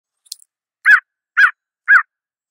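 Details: A Blue Jay in snow gives three harsh, raspy jay notes about half a second apart, after a faint click at the start.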